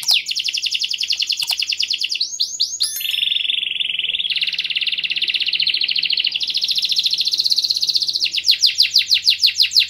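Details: Canary singing to stimulate other birds into song, a long varied phrase: quick sweeping notes, a steady buzzy roll, then a faster bright trill and closing rapid chopped notes, all high and continuous.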